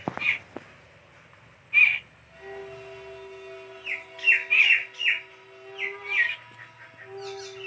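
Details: Young bird calling as its mother brings food: scattered rasping squeaks, a pair early, then a cluster of five or six harsh notes, while a steady low humming tone runs underneath.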